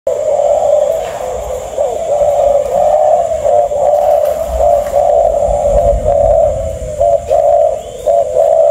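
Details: A caged male spotted dove from a breeding line coos in steady, low, hollow phrases that run almost unbroken, over a faint hum and some room noise.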